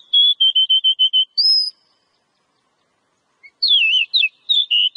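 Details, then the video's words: Oriental magpie-robin singing, used as a training recording to encourage singing: a steady series of seven clear whistled notes, a higher held whistle, silence, then a varied phrase of swooping, warbled notes. "Suara Burung Kacer ' Agar Kacer Rajin Berkicau'"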